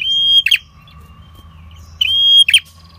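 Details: Red-headed prinia song used for trapping wild prinias: two drawn-out flat whistles, each ending in a rough buzzy fall, with a steady low tone running underneath.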